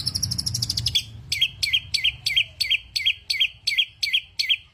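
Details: Energetic songbird opens with a fast tinkling trill, then repeats a sharp, looping high note about twice a second.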